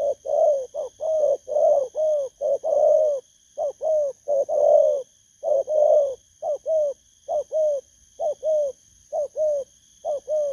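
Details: Wild-caught spotted dove of the 'bầu' cooing style, kept for training, giving a long run of mid-pitched hollow coos in uneven groups, some short notes, some drawn-out, with a steady faint high electrical whine behind.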